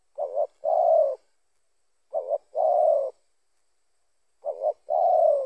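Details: A wild spotted dove, caught in a snare before it could fully coo, gives three soft, low coos about every two seconds, each a quick double note followed by a longer, slightly falling hoot, in a quiet setting.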